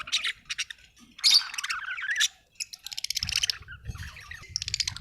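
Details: Budgerigar chirping: scratchy, warbled chatter mixed with bursts of buzzy, high chirps, and a low rumbling background in the second half.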